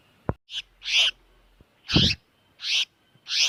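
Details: Harsh, scratchy screeches from a tiểu mi đất bird in distress, used as a trapping lure, given in quick succession with a sharp click and low thump between.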